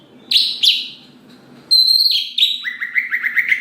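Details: Greater green leafbird provoking rival leafbirds to sing: two sharp harsh notes, then a high sustained whistle sliding into a fast series of short chirping notes.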